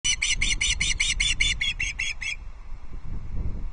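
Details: Young ospreys squabbling over a fish delivery at a nest by Loch Arkaig in the Scottish Highlands, 2 August 2022, on a live nest camera: rapid run of about a dozen shrill, harmonic chirps, then stopping, over low rumbling wind noise.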